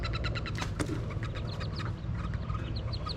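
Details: Wood duck ducklings jumping from their nest box, heard from below: rapid, high, thin peeps, several per second in an overlapping chorus, over a steady low rumble of wind.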